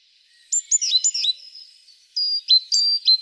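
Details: A tit's song starts after half a second: quick downward-slurred chirps, a thin sustained whistle, then a second group of sharp falling notes.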